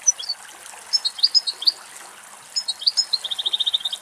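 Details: A female European goldfinch feeding on abundant food at very close range in Greek countryside: high, tinkling twitters and short liquid phrases, ending in a fast, even trill of about ten notes over a faint background hiss.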